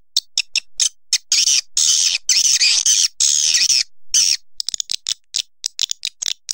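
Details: Staccato clicks lead into long rasping buzzy swiftlet calls, then the sound breaks up again into rapid uneven clicks.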